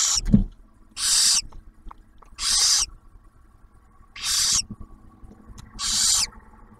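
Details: Barn owls at a nest camera near Oak Harbor, Ohio, Ottawa National Wildlife Refuge, as the male delivers food and the female shares a meal with the first hatched owlet: four harsh, breathy hissing screeches, each about half a second, with faint clicks.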